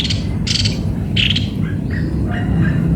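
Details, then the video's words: Cucak kopi-kopi making loud scratchy squawks followed by softer, brief whistled notes, over a steady low rumbling background. "ternyata begini suara burung Cucak kopi - kopi"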